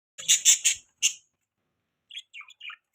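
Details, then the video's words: Budgerigars chirping: a quick burst of four harsh, buzzy chirps, then a pause and a few softer, thin warbled notes near the end. "Beautiful Budgies Parrots Chirping Sounds | Budgie Beautiful Voice"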